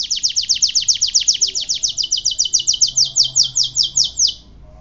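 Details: Canary giving a fast, high trill of sharp repeated notes, about six per second, slowing slightly and fading out after four seconds.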